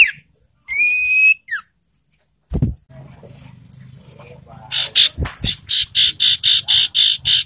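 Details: Lure call of the ashy tailorbird, meant to provoke breeding-condition birds and get quiet ones singing: one long, flat, high whistle, then a low hum under a steady string of about ten rapid, buzzy, high notes.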